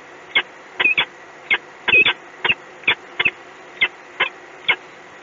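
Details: Peregrine falcon at EDF Gdynia: harsh, clipped calls, about twelve short notes given singly and in quick pairs over five seconds, against a quiet background.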